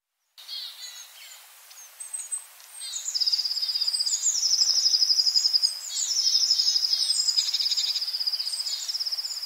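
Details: Long-tailed tits in a yard at Joroinen, giving high, thin, rapidly rattled trills and short sibilant notes that run almost continuously and grow louder after three seconds.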